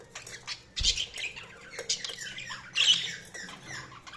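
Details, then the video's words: Budgies chirp softly: quieter, scattered scratchy chirps and short warbled notes, with a dull thump early and a louder squeaky burst later. "Budgies Chirping sound"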